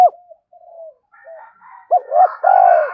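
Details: Spotted dove call meant to stir a decoy dove: faint low murmurs at first, then a quick burst of three rounded coos rising into a long throbbing one over a rougher background sound.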